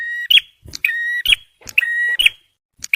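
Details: Song of a male bar-winged prinia, used to lure birds and to stir stressed ones. It gives three quick phrases: a flat, held, buzzy-ringing tone that snaps into a sharp, higher chip, with soft clicks between the phrases.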